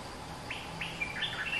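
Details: Rather distant bulbul, a dominant local songster, gives a rambling run of soft, upslurred and downslurred whistles, the notes blending together at the end, with faint hiss and hum behind.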